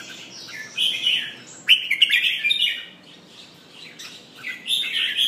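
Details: Red-whiskered bulbul in a cage, pumping and singing repeated phrases of cheerful, slurred whistles and chatter in three main bursts, separated by brief quieter spells.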